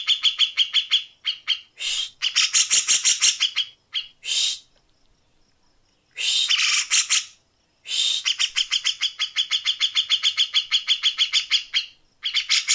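A grey-cheeked bulbul gives harsh, high rasping notes fired in fast runs, about three a second, broken by short pauses.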